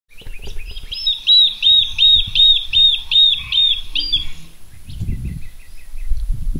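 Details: Comb-crested jacana, or Jesus bird, with newly hatched chicks at Fogg Dam, Darwin, Northern Territory, Australia. It gives a steady series of about ten clear, squeaky piping notes, roughly three a second, then softer, shorter notes over a low rumble.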